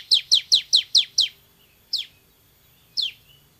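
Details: Bar-winged prinia in a loud, actively singing training recording: six bright, falling chirps in quick succession, followed by two spaced single notes about a second apart.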